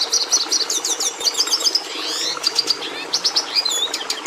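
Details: Carduelis cucullata, the red siskin, in song: quick high twitters and rolling trills followed by long downward-slurred buzzy notes and a rising whistle, lively and continuous, with faint background hiss.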